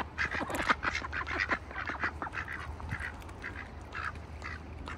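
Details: Ducks in a bucket on a farm in winter, quacking busily with rapid, overlapping nasal calls roughly twice a second, louder at the start and continuing steadily, with a low hum beneath.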